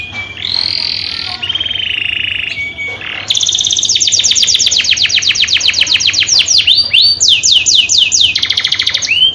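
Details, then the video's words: Canary singing a mating song used by breeders: held flat whistles and a buzzy note, a short pause, then long runs of rapid repeated high trills and looping upswept notes. "MATING CANARY"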